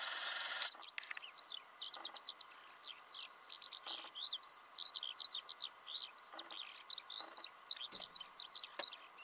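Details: ['Eurasian skylark in song, Belarus, March 2016, early spring: an endless, tumbling babble of high, bright warbles, fast trills and squeaky chirps, with a short rushing noise at the start and a few soft low thumps.']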